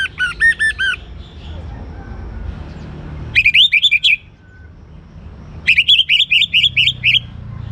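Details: Singing young orange-headed thrush, meant to make other birds sing. The bird opens with a run of repeated, rich whistles, then delivers two rapid bursts of high, trilled, warbling notes, over a faint low hum.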